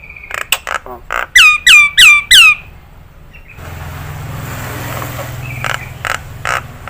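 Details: Nias hill myna on a training track for songbirds: short harsh notes, then four loud curving downslurred whistles in a row, followed by a steady background rumble and faint harsh notes.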